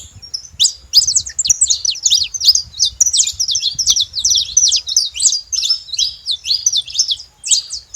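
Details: Saffron finches singing in the wild, a near-continuous stream of fast, varied chirps and sharply sweeping notes, roughly three per second, with a soft low hum underneath.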